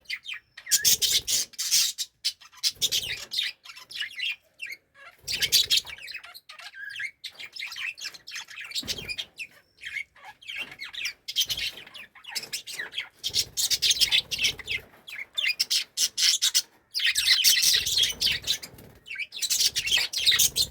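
Budgerigars chatter in bursts of rapid, high, scratchy chirps and warbles.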